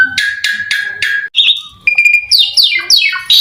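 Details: Asian pied starling singing vigorously in the rapid 'tembakan robot' burst style, used as a lure to make other starlings sing; loud repeated harsh chattering notes, then a steady whistle and several quick descending buzzy sweeps.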